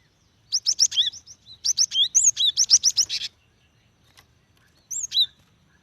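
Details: Calls of a female cinereous tit summoning a male, meant to coax singing from wild birds; dense rapid series of high whistled and buzzy notes for nearly three seconds, then a short two-note phrase after a pause.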